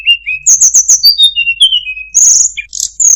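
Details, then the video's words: Sunda robin (tledekan gunung) singing a melodious, varied song of high thin whistles, sliding notes and rapid trilled bursts, with quick chirps between phrases and no other clear sounds. "suara burung tledekan gunung, sangat merdu cengkok bagus"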